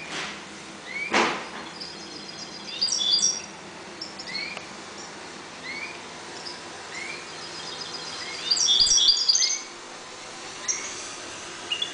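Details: Caged goldfinches, breeding calmly in a 1.20 cage, sing two bursts of high jingling twitters among repeated soft rising slurred whistles, with a sharp click near the start.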